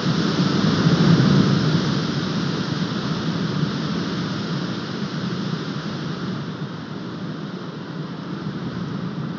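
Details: Steady broadband rushing noise like an engine or wind, with no animal call heard.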